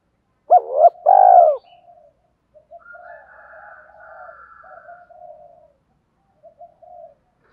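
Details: Decoy spotted dove calling in the gọi and thúc styles to lure wild doves. A single loud two-part coo opens, followed by softer, trailing low cooing and brief silence.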